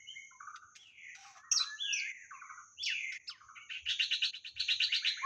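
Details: White-rumped shama used as a decoy for trapping birds, singing a rich, varied phrase of slurred whistles and rising notes, ending in fast buzzy, rhythmic trills, over a steady high-pitched whine.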